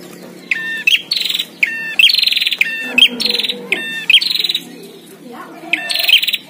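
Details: Prinias in a fierce song battle, caged versus wild, giving a steady series of upswept notes, each tied to a short buzzy trill, repeated about once a second.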